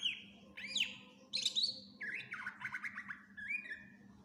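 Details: Greater green leafbird singing a full song with fill-in phrases for training other birds: a clear whistle, swooping up-and-down notes, then a fast buzzy rattle and a final rising whistle, steady hum behind.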